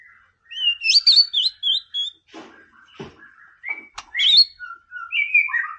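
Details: Song of a white-rumped shama meant to provoke rival birds: bright, looping whistled phrases, upslurred and fluttering notes, then lower sliding whistles, broken by a few soft clicks.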